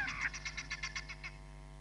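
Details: Hamerkop at Nkorho Bush Lodge, caught by a live cam on 31 July 2021: a loud harsh opening note followed by about ten evenly spaced short pulses that fade away, over a low background hum.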